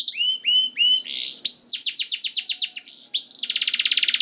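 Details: Training song of a canary (masteran): three slurred whistles, then a run of quick downswept notes, ending in a fast buzzing trill.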